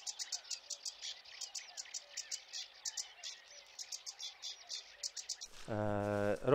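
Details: Sedge warbler sings on a meadow in the Biebrza marshes around dawn on a very cold 8 May: a fast, scratchy chatter of varied high notes, about three per second, before a man starts speaking.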